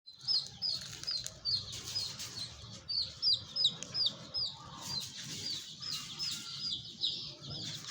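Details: Colourful chicks peeping together in a dense chorus of short, high, downward-slurred cheeps, many overlapping, repeated rapidly at about two or three per second, with a low background rumble.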